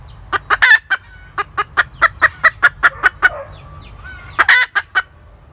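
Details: A hen cackles. A loud harsh squawk opens a steady series of a dozen clipped clucks, about five per second, then another burst of loud raspy notes near the end.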